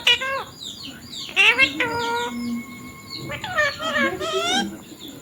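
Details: A ringneck parrot said to be talking, saying words like mummy and papa. Short, harmonic, speech-like phrases and sharp chirps come in a few bursts, with quieter gaps between them.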